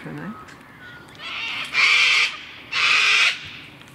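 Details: Gang-gang cockatoo near Mount Majura, Canberra, Australia, 19 February 2017: two loud, harsh, grating screeches, each over half a second long and about a second apart, rough and drawn out like a creaking hinge, with faint quieter notes before them.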